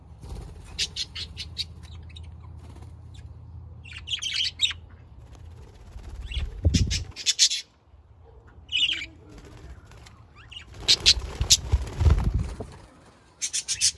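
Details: Budgerigars giving harsh, noisy squawking bursts in irregular clusters separated by short pauses, with a steady low rumble underneath.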